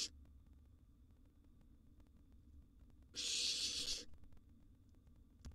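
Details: At mealtime in a nest box, a wild barn owl chick gives one loud, breathy hissing screech lasting about a second, with faint clicks and quiet before it.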